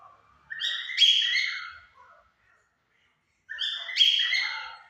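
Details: Singing at 5 pm, a pair of cockatiels, one white and one yellow, gives two loud, harsh, grating calls about three seconds apart, with quiet between them.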